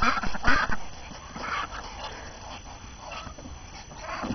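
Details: Ducks chattering on a January 6 morning after the first snow of the new year, hungry and restless after being cooped up; loud harsh quacks open the clip, then scattered softer calls over low rumbling background noise.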